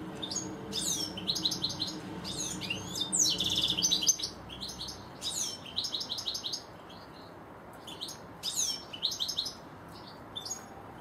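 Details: European goldfinches, two birds in a garden, delivering a long run of bright, jangling twitters with fast repeated notes, buzzy trills and a brief grating burst, set against a continuous low hum.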